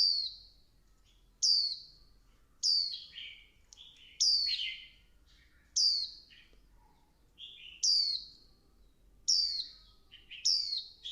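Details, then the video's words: Female Swinhoe's white-eye urging the male to sing in the intense 'líu căng lửa' style, giving a steady string of piercing, falling whistles roughly every 1.3 seconds, several trailed by a lower, rougher second note. "Tiếng chim vành khuyên mái kích trống líu căng lửa"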